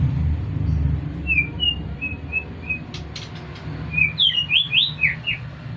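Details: White-rumped shama, a competition-grade bird, giving a few short, evenly spaced whistled notes. These are followed by louder, varied slurred whistles, some rising and some falling, against low background rumble.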